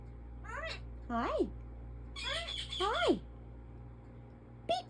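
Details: Pet African ringneck parrot indoors making speech-like talking sounds, four swooping voiced syllables in two pairs followed by sharp clicks, while its owner repeats peekaboo and asks what it is doing; a faint constant hum underneath.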